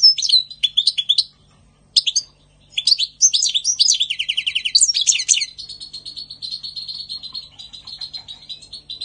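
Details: European goldfinch in spring 2020 pouring out lively twittering phrases, tinkling and rolling, separated by short pauses, then settling into a long, even series of quick, softer buzzy notes.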